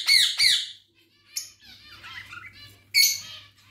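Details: Pet budgerigars, kept with ringneck chicks, give loud harsh squawks in quick pairs, then softer chatter over a low steady hum.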